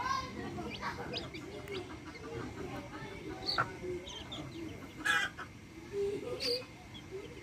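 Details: Hens with chicks in a backyard, low throaty clucks and a couple of loud sharp squawks, with faint high chick peeps between them and a constant low hum.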